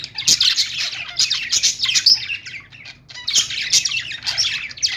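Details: Budgerigars calling in the morning: dense, busy chirping and chattering in bright high tones, with bursts of quick tweets broken by a short quieter gap near the middle.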